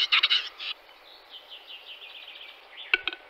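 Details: In March 2022, a Western capercaillie gives loud, hissing, scraping bursts, then a soft drawn-out rasping passage, and finally a pair of crisp clicks.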